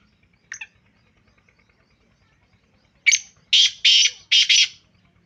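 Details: Black francolin of the Sindhi type, described as purebred, giving a harsh, grating call: one short scratchy note, a pause of over two seconds, then four rasping bursts in quick succession. The background is quiet.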